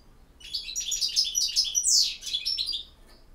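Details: Campero-style goldfinch song: one continuous, loud phrase of fast, bright tinkling and twittering notes that builds to a harsh, buzzy downslurred peak before trailing off.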